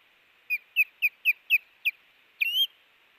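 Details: Osprey at a nest in early morning, 5 August 2018, as a chick fledges; six clipped whistled chirps, then a longer rising whistle, clear against a quiet background.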